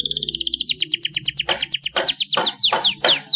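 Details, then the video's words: Canary song recorded to train other birds: a rapid high trill slows into descending sweeps, mixed with broadband clicking notes, over a faint low background. "MASTERAN KENARI FULL TEMBAKAN PEDES CENGKOK MEWAH DURASI PANJANG"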